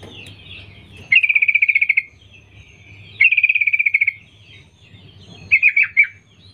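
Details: Female sooty-headed bulbul calling males: two long, fast rattling trills of a dozen or more even notes, then a shorter burst of four slurred chatter notes, against a low hum.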